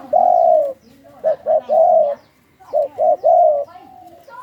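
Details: Spotted dove kept in captivity, of the Thai 'sai khu ang' song style, father said to double every phrase: two phrases, each a long coo, two quick short notes and another long coo.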